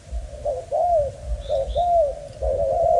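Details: Spotted dove of Malaysian stock, a young male with a broken wing described as very lively, cooing low mellow notes in short slurred phrases, each dipping at its end, with faint high chirps from other birds.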